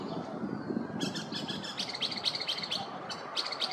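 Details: Northern mockingbird, a male singing in a neighborhood in the morning, gives a rapid chatter of high, scratchy notes after a brief quiet start, over steady background noise.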